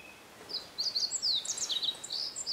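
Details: Meadow bunting, common around a mountain forest hotel at Matsunoyama Onsen; high, quick jumbled notes and sharp descending slurs in a rapid phrase over steady background hiss.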